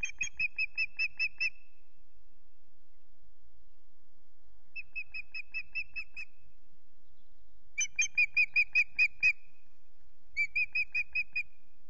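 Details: An unringed female osprey at Loch Garten calls for a mate that fails to return, giving four bursts of rapid, shrill whistled notes, each bout of six to nine chips separated by pauses, the third loudest.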